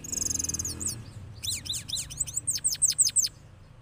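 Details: A cross goldfinch sings rolling songs after moulting, a high, tinkling song of a buzzy trill, then rapid liquid twitters and a run of sharp descending notes; recorded in Parachinar.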